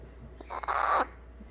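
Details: Young eclectus parrot after its baby-food feeding, fussing to be cuddled; a single grating, broadband squawk of about half a second over quiet indoor background hum.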